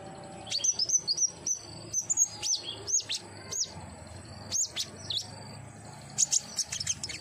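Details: Singing common iora kept in captivity: a string of high whistled notes, each bending sharply up then down, spaced about every half second, ending in a fast flurry of shrill chirps.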